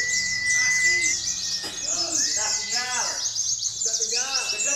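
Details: Caged white-eye (pleci) song used as a lure to provoke other white-eyes into singing: busy, high, rapid chattering twitters with scratchy notes, a long thin steady whistle at the start, and faint voices behind.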